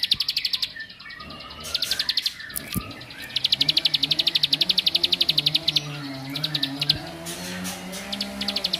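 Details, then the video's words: Bar-winged prinia singing to agitate rival males: broken bursts of rapid, high ticking notes starting and stopping, with a deep, drawn-out lowing or humming sound underneath. "Kicaun Cibl3k ini Bikin Semua Cibl3k Makin Emosi"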